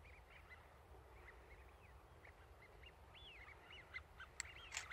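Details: Duck on a lake or lagoon on a fine day, whistling contentedly: repeated short, clear whistled notes with upward and downward slurs, a few louder sharp sounds near the end, over low rumbling background noise.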